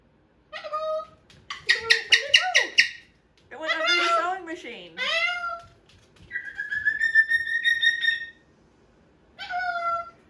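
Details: Moluccan cockatoo kept as a pet, playing indoors near a sewing machine with a new box and toy truck. Short squawks give way to rattling harsh bursts, bent wailing cries, a long steady whistled scream and a final brief shriek.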